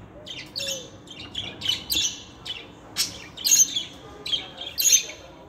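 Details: Pet budgies chattering busily, a dense mix of thin scratchy chirps and rasping squawks repeated in quick succession, getting louder toward the end.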